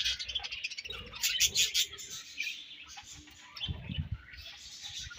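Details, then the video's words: Budgerigars feeding and exchanging food, giving busy overlapping high-pitched chirps and warbling twitters from several birds, with low rustling in the background. "Budgies Chirping Sounds"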